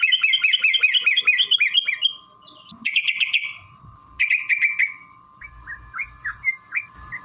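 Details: Sooty-headed bulbul in energetic fighting-style song, long rapid 'ropel panjang' delivery used as a lure to make other bulbuls sing: a quick roll of bubbly warbled notes, then separate chirpy bursts and softer scattered notes over a steady electronic hum.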